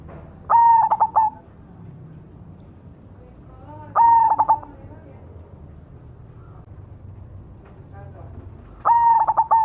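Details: Cemani variety of zebra dove singing loudly. Each phrase opens with a sustained mellow coo, then rattles into several rapid staccato notes. Three phrases come at intervals of three to five seconds, with faint background noise.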